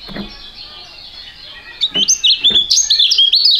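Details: Young contest songbirds with a fighting style singing together: after a quiet opening comes a burst of fast, piercing, high notes rising and falling in quick steps, each note sharply clipped, continuing to the end.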